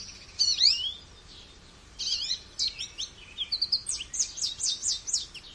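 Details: A goldfinch sings bright, high notes: a swooping liquid phrase, a pause, then bursts of fast chirps and tinkling trills that run on toward the end.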